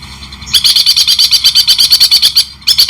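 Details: White-rumped shama in long-tailed-shrike style, training recording: a quiet moment, then a steady rapid rattle of about seventeen high notes, a short pause, and the rattle resuming.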